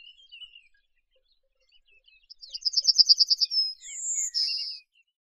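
A Yellowhammer sings a quick run of about ten dry, high repeated notes, then ends on two drawn-out higher notes; faint chirps come before it.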